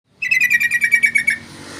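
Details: Sooty-headed bulbul singing vigorously: a rapid, even trill of about ten bright, slightly buzzy notes lasting just over a second, then quiet background hiss.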